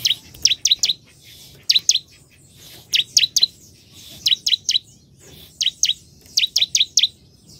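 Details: Bar-winged prinia song made of steady triplets of piercing falling notes, repeated about every second and a half, with little else heard.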